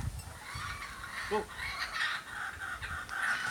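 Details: Young kookaburras in a backyard practising their laugh: rough, raspy chattering bursts that run almost without a break, with a brief lower tonal note partway through and faint background hiss.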